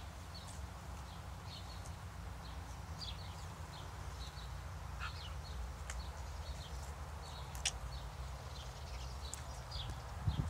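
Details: House sparrows feeding, several chirping at once in short, bright notes scattered throughout, over a steady low rumble.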